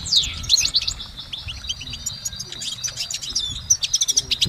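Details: Goldfinch song in nature, somewhat softer: a steady stream of high, thin twittering notes and short whistled slurs running throughout, with occasional louder chirps near the end.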